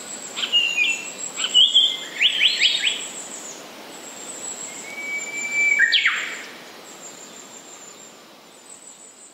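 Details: Song of a Japanese paradise flycatcher: a quick run of bright, buzzy notes repeated several times early on, then a long level whistle leading into a loud swept note, with a faint continuous high insect-like trill behind.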